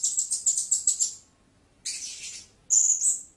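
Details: Rapid series of shrill, clipped chirps from a blue-crowned hanging parrot, then a pause, a raspy buzzy note, and a final piercing drawn-out squeak.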